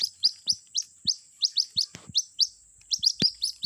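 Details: Lure sound of a White-breasted Waterhen chick calling its mother: quick high rising peeps roughly four per second, mixed with soft low thumps and a short rustling burst.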